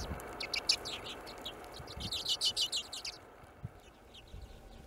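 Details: A Hornemann's Arctic Redpoll in Greenland, 2017, gives a quick run of dry, buzzy chattering calls, about three a second, fading out after three seconds over faint background noise.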